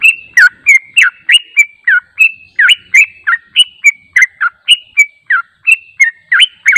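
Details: Steady stream of yellow-vented bulbul chirps from a lure meant to make birds call back: about three crisp, slurred whistle notes per second, bubbly and continuous, with a clean, quiet background.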